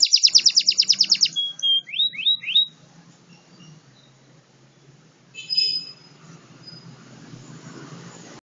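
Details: Local canary singing a rapid, evenly repeated high trill, then a few looping whistled notes, then a short buzzy burst before fading into quiet hiss.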